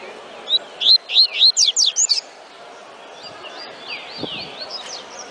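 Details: Double-collared seedeater giving a tui tui song: one quick run of about seven loud, high sweeping whistles, then softer rising and falling chirps trailing off.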